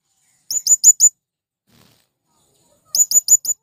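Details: Calling to attract wild birds, a male blue-crowned hanging parrot gives two bursts of four rapid, shrill, high chirps separated by a silent gap of about two seconds.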